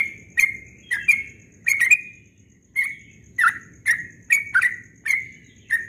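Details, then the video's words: Yellow-vented bulbul singing ropel-style at dawn, with crisp, slightly buzzy notes in twos and threes, then a brief gap and a steady sequence of roughly evenly spaced bright notes, with a faint constant high tone behind. "Trucukan Ropel Subuh suaranya merdu sekali"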